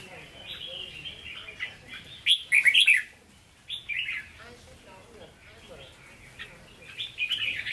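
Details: A caged red-whiskered bulbul with standard Hue singing voice delivers one loud, tumbling burst of bright whistled notes. Softer twittering phrases come before and after, against a low murmur.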